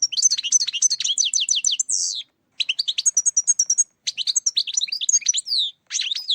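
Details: European goldfinch singing for use as a trapping lure: dense bursts of tinkling twitters and rattling trills, a buzzy drawn-out note near two seconds, then further quick liquid phrases after short gaps.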